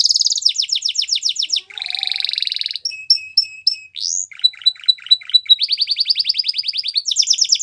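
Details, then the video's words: Canary song used to train young canaries: alternating rapid trills and buzzy rolls, a few spaced short whistles, a rising sweep, then stuttered notes leading into fast steady trills. "Canary Bird Sounds | The Best Canary Singing For Training"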